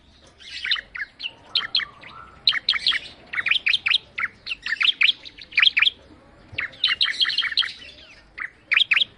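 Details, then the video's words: Bar-winged prinia, known locally as ciblek, singing: rapid series of sharp, high chirping notes in bursts, each note sweeping downward, with short pauses between phrases. "Suara Burung Ciblek Mendayu Auto Gacor"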